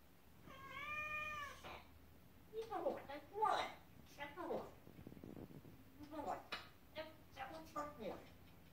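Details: African grey parrot talking to a cat indoors: a long drawn-out meow-like wail opens, followed by a string of short, speech-like syllables and phrases with sliding pitch, separated by brief pauses, in a small room.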